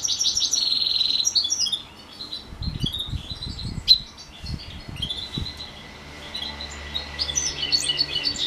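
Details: A house finch and canary hybrid sings during morning bird training: bright chirps and short warbled phrases, loud at first, then a sparser stretch of high notes. Soft thumps and a faint steady tone sit beneath.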